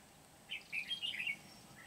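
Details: Decoy red-whiskered bulbul used for trapping in Kim Bôi, 8 September 2019: one brisk, bubbly warbled phrase of several linked chirps, then quiet.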